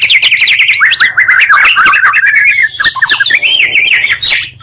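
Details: Oriental magpie-robin song, two voices merged as a lure to raise excitement in other magpie-robins; continuous rich warbling with rolling whistles and fast slurred notes, hardly any pause.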